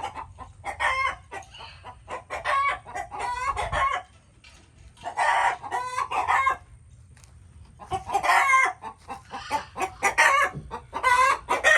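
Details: Chickens calling in loud harmonic bursts, squawks and clucks with rising-falling strokes in three main bouts separated by short quiet gaps.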